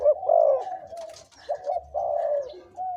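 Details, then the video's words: Spotted dove decoy bird, aged two to three years, kept for its big, middle and small voice types; low, mellow cooing notes in short broken phrases with brief gaps, one soft rising opening note. "นกต่อ เสียงใหญ่(เจ็กหัวโต)และเสียงกลางกับเสียงเล็ก จ้วดๆ ครับ"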